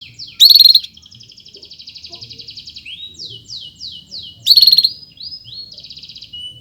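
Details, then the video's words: Canary singing a long chirping song for training other birds: loud rattling trills alternate with soft sustained high buzzing and rapid rising chirp series. "SUARA BURUNG KENARI⁉️ Cuit cuit Panjang COCOK untuk Masteran"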